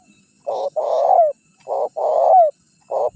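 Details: Spotted dove lure call for luring wild birds and rivals: repeated couplets of a brief coo and a longer buzzing coo sliding down at the close, about one phrase per second, recording otherwise quiet.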